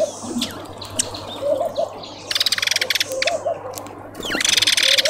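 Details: Southern red bishop at a tube feeder in a suburban garden in Pretoria, South Africa, giving two bursts of fast, sizzling, buzzy chatter, each under a second, with scattered high chirps and soft lower notes from other birds.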